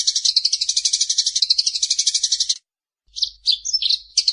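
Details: Eurasian tree sparrow in daytime song, called melodious and drowsy-making: a rapid, even series of high chirps for about two and a half seconds, a short silence, then several varied, clipped notes.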